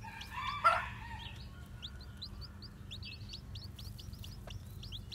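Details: Newly hatched white, black-tailed bantam chicks walking about; thin high peeps that rise then fall, repeated rapidly from several chicks, with one louder harsh note near the start over a low steady hum.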